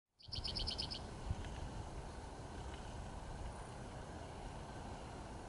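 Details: A male spotted towhee sings one of his songs at Steigerwald Lake NWR on April 30, 2016: a quick run of six or seven bright, ringing notes in under a second, over a steady low rumble of wind or distant traffic.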